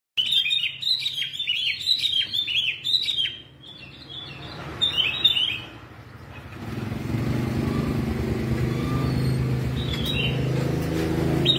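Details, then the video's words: Yellow-vented red-whiskered bulbul singing in contest style, described as fierce and singing all day: bright, warbling phrases at a high pitch, repeated quickly for about three seconds. The singing then fades under loud traffic and motorbike rumble. "chào mào đít vàng bông lau , đấu hót cả ngày mặt dữ hung"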